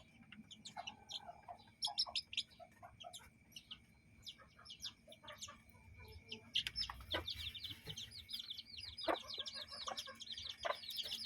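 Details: Chickens with chicks playing in a yard and coop. Rapid high, thin downward-slurred peeps from chicks dominate, with scattered lower clucks and a steady high electrical whine underneath.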